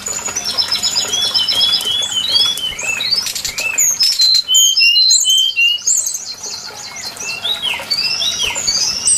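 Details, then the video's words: Brown-chested jungle flycatcher lure recording used for bird trapping: dense, overlapping high whistled notes, many short slurred and rising phrases tumbling quickly, with a brief quieter pause near the middle. "Suara pikat burung sikatan SRDC Sikatan rimba dada coklat"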